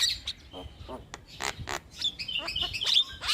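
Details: Young starling song used as a training recording for other birds: varied mix of harsh squawks, clicks and whistled notes, bursts of broadband chatter alternating with short high tones.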